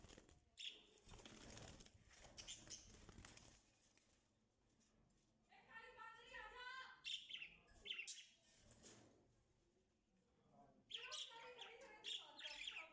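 Budgerigars chatter in quick, scratchy warbling bursts after a loud flurry of flapping wings.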